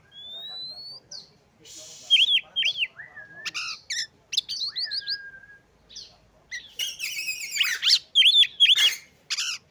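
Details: Oriental magpie-robin song used to rouse rival magpie-robins' breeding urge: a long rising thin whistle, then sliding notes, harsh buzzes and dense bursts of swooping whistled phrases.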